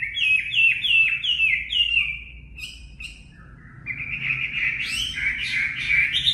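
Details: Chinese hwamei song played to voice-train caged birds: five loud slurred whistles repeat about every 0.4 seconds. After a short pause comes a richer warbled phrase that rises and falls, over a faint low hum.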